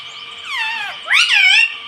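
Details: Green pet parrot that says "mummy" speaks two quick connected syllables, the first sliding downward and the second sweeping up loud and nasal, under a low steady hum.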